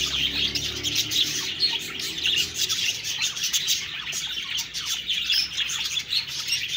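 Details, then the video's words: Many budgerigars chirp in an unbroken, busy chatter of high twittering and warbling notes, occasional sharper chirps standing out over the steady flock noise. "Budgies Birds talking sound Birds chirping sounds"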